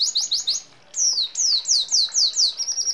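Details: Singing red siskin, gacor ngeroll style with sparrow, hummingbird and canary fills: quick high downslurred notes, a short pause, then evenly spaced longer falling whistles ending in a flat buzzy trill.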